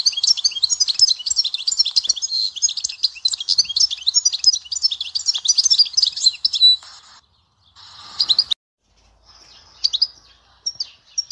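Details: Goldfinch song in the Dahwara sector style of Souk Ahras: fast, bright, jingling twitters and chattering notes poured out continuously for about seven seconds, then a few short scattered phrases separated by silences.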